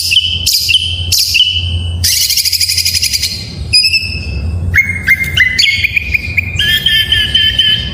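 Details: Full-fill Oriental magpie-robin song for stimulating idle magpie-robins to sing: clear flat whistles, then a dense buzzy rattling trill, followed by stepped whistled notes and a fast warbling run, with low hum behind.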